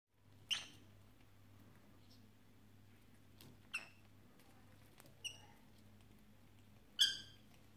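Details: Pet lovebirds kept indoors as young birds, recorded 6 January 2017 on Three Kings Day; four short, sharp, high chirps spaced over several seconds over a steady low electrical hum in a quiet room.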